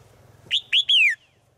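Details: Female bird calling to a male in the forest: one short whistled note, then two longer clear whistles, the last sliding downward, the whole phrase lasting just over half a second in a quiet setting.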